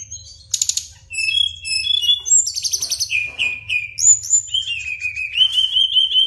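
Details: Brown-chested jungle flycatcher in long ngeroll song, mixing buzzy high trills, pure whistled notes and long level or gently rising whistles, over a soft low hum.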